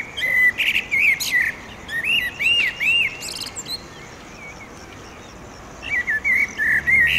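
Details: Sunset song of a male common blackbird by a railway pedestrian bridge in Oradea, territorial: arched mellow whistles in quick sequence, a pause, then another phrase of repeated whistles with high twittering accents.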